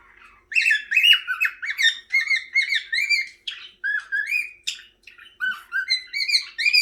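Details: A 6-month-old cockatiel, newly able to sing, whistles the learned tune "If You're Happy and You Know It" in bright, warbling phrases mixed with rasping chirps.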